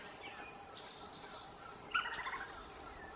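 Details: A Lineated woodpecker (Dryocopus lineatus) in Reserva Privada Surucuá, Misiones, Argentina, gives a quick run of about six sharp, fading call notes, with a steady high insect hiss throughout.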